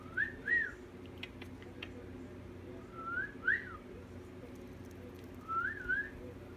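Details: Cockatiel giving clear whistled phrases, each a pair of rising-then-falling notes, repeated three times about every two and a half seconds over a steady low indoor hum.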